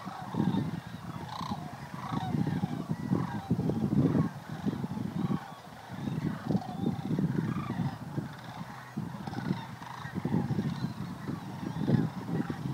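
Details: Sandhill Crane families gathered at Creamer's Field refuge in Fairbanks, Alaska, preparing to migrate to Texas; many overlapping rolling, rattling calls repeated in loud bursts every second or two, with a brief quieter lull near the middle.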